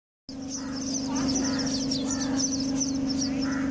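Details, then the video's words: Sparrows nesting inside a home give rapid, thin, high chirps in a busy overlapping stream, with a few lower rasping notes, all over a steady low electrical hum. "Sparrows sound"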